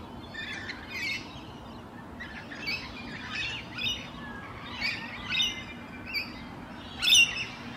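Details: Rainbow Lorikeets preening in their natural habitat on a morning; a run of short, harsh squawks and chirps spaced irregularly across several seconds, some louder screechy notes toward the end, over a steady background hiss.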